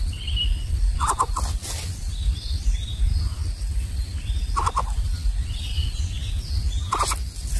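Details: Nestling greater coucals of unequal size in their nest, larger chicks taking the food while the small one goes without; brief clusters of harsh, clipped pulsed notes at intervals of several seconds, with a constant low rumbling background and faint higher sounds.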